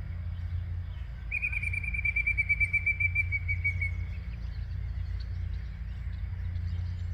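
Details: Singing yellow-breasted chat, Osborn Metropark in Huron, Ohio, 10:12 AM, May 23, 2023: a long, rapid trill of repeated high notes lasting about three seconds and sagging slightly in pitch, over constant low rumble.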